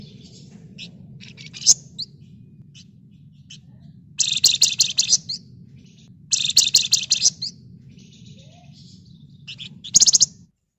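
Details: Red-whiskered bulbul in full gacor ngebren rapat song, kept as a lure for other birds: scattered high chips, then two long dense buzzy rattles about two seconds apart and a final sharp burst, over a low background hum.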